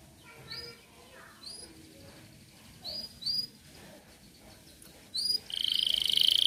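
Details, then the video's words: A canary gives a few sharp, rising chirps spaced about a second apart, then breaks into a dense, buzzy high trill that runs to the end. "Kenari gacor"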